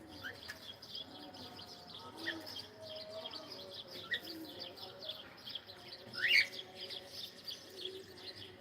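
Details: Cockatiel saying hello: one loud, quickly rising whistled call late in the recording, with faint earlier whistles over a constant high chirping chorus of other birds and low murmuring.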